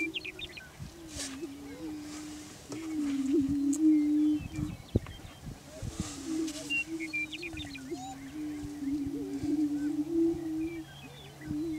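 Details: Lekking greater prairie chickens in Washington County, Kansas, displaying for breeding territory; repeated low moaning booms run almost continuously, interrupted by short cackles and whoops, with faint high bird chatter in the background.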